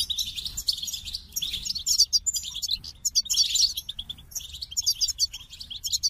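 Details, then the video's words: Goldfinch delivering a loud, fast jumble of bright chirps, sweet whistled slurs and buzzy trills, almost continuous with tiny gaps. "The Captivating Call of Goldfinches"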